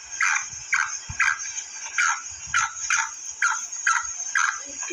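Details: Female black francolin giving a regular string of some ten short, husky, downward-slurred notes about two per second, with a continuous high hiss throughout.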